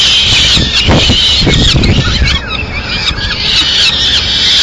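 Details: In Madrid on 30 April 2016, a female peregrine falcon brings pigeon remains at snack time, giving rapid, rising-and-falling chattering wails over steady low rumbling noise.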